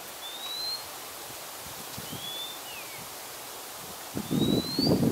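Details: Oriental magpie-robin singing in Singapore: slow, widely spaced clear whistles, the first and last rising, the middle one sliding downward, over a rustling background with a low rumble near the end.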